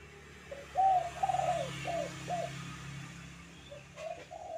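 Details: Spotted dove kuk 2 call for training doves: a phrase of short, hollow coos against a steady background hum and hiss, followed by fainter closing notes.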